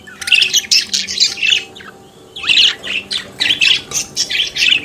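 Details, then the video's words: Budgerigar kept as a pet, singing and chattering in dense bursts of buzzy, scratchy warbles, a brief pause midway, then quick chirpy notes resuming; faint low humming tones underneath. "Periquito Cantando e Conversando Sonidos de Periquito Australiano"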